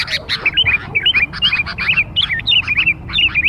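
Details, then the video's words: Sooty-headed bulbul lure recording meant to attract young birds: a fast, busy stream of short, bright, bubbly whistled and chirping notes, rising and falling and overlapping almost without pause, over a faint low rumble. "burung kutilang pikat muda"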